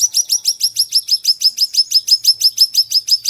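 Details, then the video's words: Ashy tailorbird song, described as sharp and fiery and used to train other birds: a fast, steady run of high, piercing chirped notes, about three each second, with no other sounds. "MASTERAN BURUNG SIRI SIRI TAJAM PEDAS"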